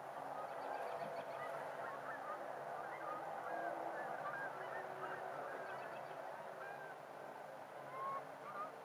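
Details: Geese at a park during a winter sunset, many overlapping short nasal honks from a flock, steady and busy throughout, over a constant wash of wind and distant traffic.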